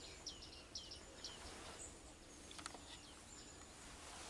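Bearded reedling giving short, high, metallic pinging notes, three in quick succession about half a second apart, then fainter ones over a steady background hiss.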